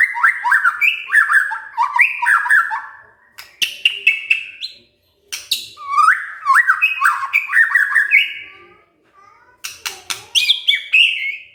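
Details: White-rumped shama, or murai, answering when provoked with varied fluting song: rich warbled phrases in bursts separated by short pauses, mixed with crisp clicking notes.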